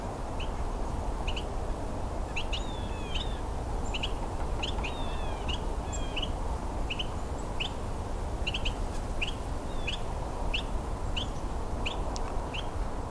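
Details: A pair of Carolina Wrens, one close and one farther away, trade short, sharp calls, some slurred downward, about twice a second over a steady low rumble, on a winter Christmas Bird Count at about -10 °C.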